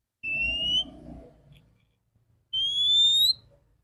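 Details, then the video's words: Female Oriental magpie-robin, clear voice, morning lure for stimulating males: a lower level whistle, a pause, then a higher, longer whistle rising slightly at its end, with a low background hum. "Terapi burung kacer betina suara bening pancingan pagi hari segarkan kacer jantan"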